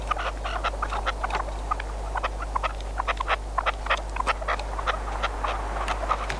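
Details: Red-legged partridge decoy bird used for hunting gives harsh, clucking chuck notes in quick, uneven bursts over a steady low hum; Red-legged partridge.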